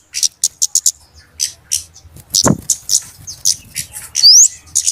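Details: Flowerpecker lure recording of busy, noisy calling, used by bird trappers to attract birds: sharp, very high ticking notes in short irregular bursts, plus one rising squeaky whistle near the end and a brief low thump.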